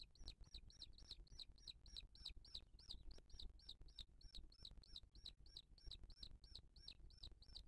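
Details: At a Booted eagle nest in 2023, with the mother feeding the chick and other birds harassing her. Quiet, arched, high whistled notes repeat steadily about three times a second over a low rumbling background.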